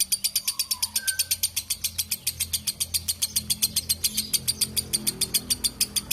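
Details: Lovebird giving a long ngekek chatter: harsh, high, clipped notes repeated steadily about three to four times per second for the whole stretch, with a brief whistle near the start and a low background hum.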